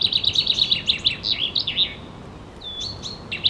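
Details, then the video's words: Common chaffinch voice: a quick run of high, sharp repeated notes that drops into a short descending flourish within two seconds, then a pause with a few scattered thin whistled notes. "Голос 00:44-00:48 - это зяблик?"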